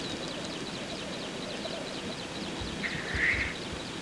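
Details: Courtship lek of male black grouse. Soft, low bubbling continues in the background, and one loud rasping hiss comes near the end.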